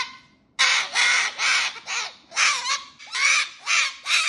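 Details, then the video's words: Pet cockatoo singing to avoid being put to bed, giving a series of loud, broad, raspy screeches in bursts of about half a second, repeated with short gaps, after a brief quiet start. "She will do anything not to go to bed so she sings."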